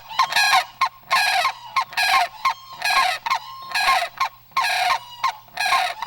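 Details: A male white-breasted waterhen in breeding season calls louder as mating nears, courting females: loud, harsh, nasal honking bursts, roughly one a second in an uneven rhythm, over a faint steady low hum.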